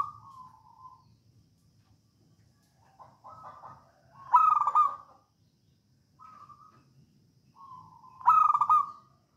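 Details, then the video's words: Local wild zebra dove from Java, the perkutut in songgo ratu style, sung as a lure for other doves: mellow coos build into a loud rattling trilled phrase, twice, about four seconds apart. "Perkutut lokal alam gacor songgo ratu"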